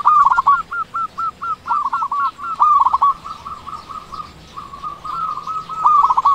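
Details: Local zebra dove of Indonesia, kept for its big voice and played to stir silent doves into calling. Near-continuous run of fast, stuttering, rolling coos at a steady pitch, ending in a sharper trill.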